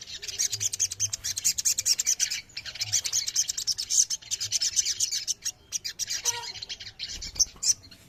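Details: Ruby-throated myzornis ombyokan chorus, used as therapy to get birds singing: a busy wash of sharp, high twittering notes pulsing almost without break, with faint low hum beneath.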